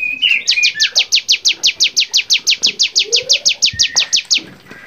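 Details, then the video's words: Bar-winged prinia singing on a songbird training recording in a lively varied style: a long, steady, evenly spaced train of high, sharp downward-sweeping notes, roughly three per second, with faint softer chirps underneath. "masteran cigun gacor variasi"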